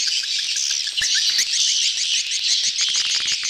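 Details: A swarm of courting swiftlets, a "betompok" lure sound: a row of evenly spaced rising chirps opens, then the flock's dense twittering swells and clicks crowd in near the end.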